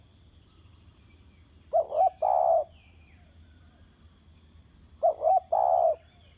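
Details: Spotted dove calling from the ground: two coos sounding like three quick mellow notes then a longer drawn-out coo, the phrase given twice about three seconds apart, with faint high chirps of other birds and a steady insect hum.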